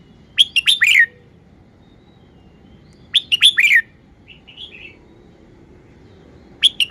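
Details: Caged red-whiskered bulbul showing off its song phrasing: bright, quick bursts of four or five sharp, slurred whistled notes, each burst under a second, repeated about every three seconds, with a softer twitter between and a low background rumble.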